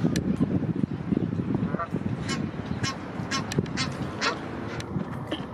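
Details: Egyptian geese in Heidelberg, where a father goose protects his offspring from other Egyptian geese: short, harsh honks and raspy bursts in quick, irregular succession over a steady low rumble of background noise.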